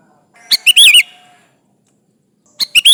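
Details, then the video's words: Sooty-headed bulbul calling rivals as a lure: a quick chattering phrase of three to four notes ending in a wavering whistled slur, then a second phrase begins after a two-second pause. "Suara burung kutilang gacor memanggil lawan Ampuh buat pancingan"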